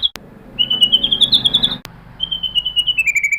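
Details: White-rumped shama song used as a lure to provoke other shamas into singing: two runs of rapid, even, high chirping notes, the first gently rising then level, the second level then slightly falling, separated by a sharp click.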